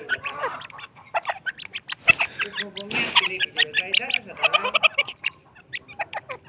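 Grey francolin giving a fast run of sharp, high, clipped notes, several per second, with a brief lower harmonic voice, possibly a person, partway through.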